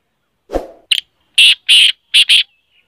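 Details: Black francolin call: a sharp click, then a phrase of loud, rasping, buzzy notes in two pairs, after a low thump at the start.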